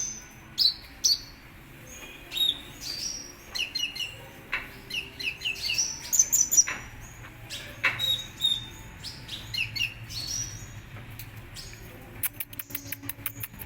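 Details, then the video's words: Kolibri Ninja sunbird, a contest songbird, singing in scattered bursts of very high, sharp chirps and thin slurred whistles, ending with a fast series of rapid clicks. "Suara Burung Kolibri Ninja Gacor Mau Juara - Hummingbirds Sound"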